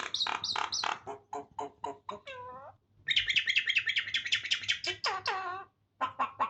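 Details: A common myna (Acridotheres tristis) mimics Farsi speech in bursts of rapid, harsh syllables and whistled phrases with falling, slurred notes, separated by brief pauses.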